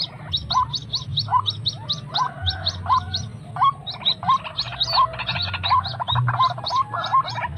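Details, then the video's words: White-breasted Waterhen (srimbok, truwok, ruak-ruak) call used to lure wild waterhens: hooked mid-pitched notes repeated about every half second, with sharper higher clicks above and a low steady hum underneath. "pikat burung srimbok mbok / truwok cara pikat ruak ruak liar"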